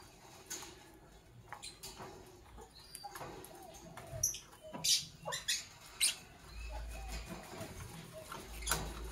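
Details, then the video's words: Morning chirping from Fischer's lovebirds of Parblue Violet and Pastel Green Opaline colouring: brief shrill chirps come irregularly, grouped mostly in the second half, with quieter rustling and clicks in between. "Relaxing Lovebird Chirping Sounds from Parblue Violet Fischer's & Pastel Green Opaline"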